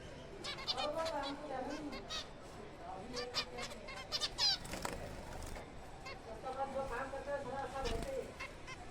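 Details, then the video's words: Zebra finches in a kept breeding colony in April, a busy chorus of short nasal honking calls overlapping from many birds, with sharp higher chirps, some wing flutter and a voice-like murmur underneath. "finches birds zebrafinch birds colony progress april month"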